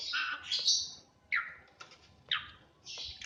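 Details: Kept Asian pied starling, reportedly able to copy a person's coughing, giving harsh, scratchy high notes and short descending squawks in irregular bursts over about three seconds, with a faint background hiss.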